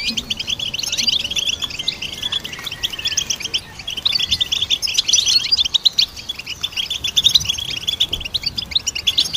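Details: Goldfinch song for training songbirds: a dense, continuous twitter of quick high chirps and short trills, with brief rising whistles woven through and no pauses.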